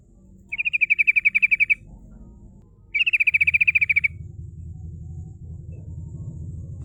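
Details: Sooty-headed bulbul lure song for calling rivals, in the rolling 'ngerol' and 'nembak' style: two rapid bursts of about a dozen bright, even chip notes each, a pause between, with a low hum underneath.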